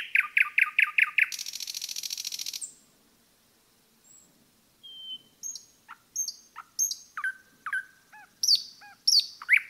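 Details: A nightingale in forest song opens with rapid loud repeated notes that run into a harsh buzzy rattle. After a silence come pure high whistles and a mix of sharp clicks and downslurred notes, ending in piercing high phrases.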